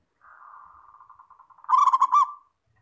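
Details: Local zebra dove singing a clear masteran song: a soft, low trembling coo that builds into a loud burst of rapid rolling coo notes, then stops.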